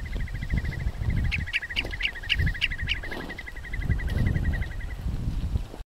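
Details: Common redshank in Iceland giving a fast, even trill of high piping notes, with sharper, higher calls repeated about four times a second midway. Heavy wind rumble underneath.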